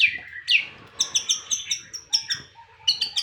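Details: Song of a white-rumped shama opening with two bright descending whistles, then rapid sharp high chips repeated roughly five times a second, broken by a few lower whistled notes.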